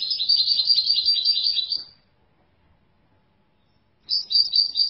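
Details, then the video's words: European goldfinch singing a high, rapid tinkling twitter for about two seconds. About two seconds of silence follow, then the bright chattering phrase starts again near the end. The background is clean and quiet. "افضل صوت بلبل حسون"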